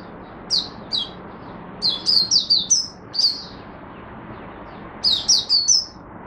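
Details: Oriental white-eye in Singapore on 23 March 2023, humid, warm, rainy and overcast weather, singing buka sing: high, thin downslurred chirps, single notes then quick runs of four or five, separated by short pauses.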